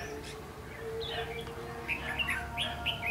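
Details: Red-whiskered bulbul on 14 March 2016 during trapping of a flock-leading bird; after a quiet start, rapid chirpy warbled notes rise and repeat several times a second over a low background hum.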